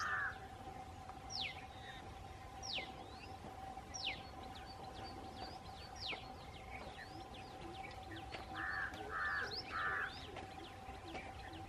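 Large grey babbler giving harsh, nasal squealing notes in a quick run of three, among sharp whistled strokes from other birds over a steady low hum.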